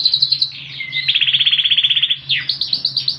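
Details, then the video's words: Ringed Yorkshire canary in full song with a cililin-style fill and a very loud voice: bright chirps, then a rapid even roll of about four notes per second, a swoop down and more high chirps over a steady low hum. "Yorkshire Canary full gaor Isian Cililinan.. suara super keras"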